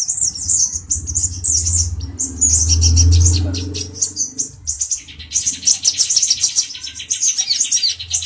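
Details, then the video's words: Agitated male brown-throated sunbird singing while provoking a cucak jenggot (grey-cheeked bulbul): rapid, high, chirping notes in dense repeated bursts, with a low droning hum underneath during the first half. "Kicau Burung Kolibri Ninja Dada Coklat Jantan emosi menggoda Burung Cucak Jenggot"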